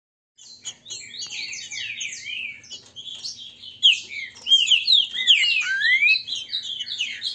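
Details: Captive Green-winged saltators in a singing contest pitting the grego mole and boiadeiro song styles, staged to warm the birds up; a dense jumble of overlapping slurred whistles and chirps that grows louder and busier toward the end.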